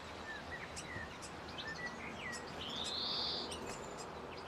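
Grey fantail giving thin, high squeaky chirps and short slurred notes, then a longer sweet rising whistle, over a steady background hiss.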